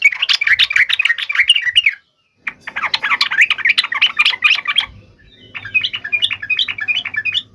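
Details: Yellow-vented bulbul in energetic fighting song, a long 'ropel' trill meant to draw an answer from other bulbuls; dense, rapid chattering in three runs, the final one looser and more evenly spaced, over a faint low hum.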